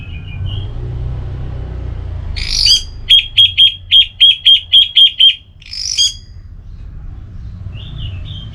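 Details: An orange-headed thrush in relaxed song: a soft whistle, a harsh burst, then about nine crisp, identical high notes in a steady rapid row, another harsh burst, and quiet whistles at the end.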